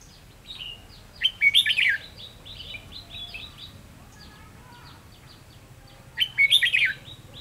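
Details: A red-whiskered bulbul used as a trapping decoy on 7/11/2016 sings two lively, rapid warbled phrases about five seconds apart, with softer chirps scattered between.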